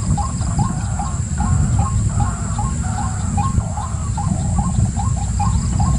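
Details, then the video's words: White-breasted waterhen giving a long regular sequence of brief upslurred notes, sometimes doubled, about two each second, over a strong low hum. "White Breasted Waterhen"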